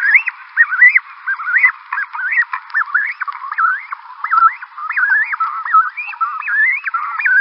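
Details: Cape cormorants at a nesting site in Simon's Town harbour, South Africa, 20 August 2020, give a steady stream of nasal, croaking honks, each rising then dropping, overlapping as many birds call together.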